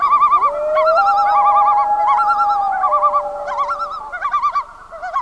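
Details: Night chorus of common loons in Canada's northern lake country during summer, a long rising wail sliding upward and holding, with repeated fast quavering tremolo phrases from other birds layered on top.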